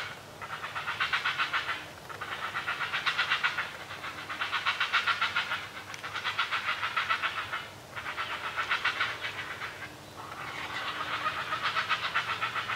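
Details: Great Blue Heron chicks begging while a parent feeds them, a rapid, dry ticking chatter in six bursts of about two seconds each with short breaks; they fall silent once the parent leaves.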